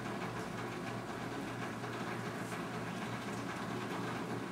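Steady mechanical hum and rumble of an engine or train, with no animal call.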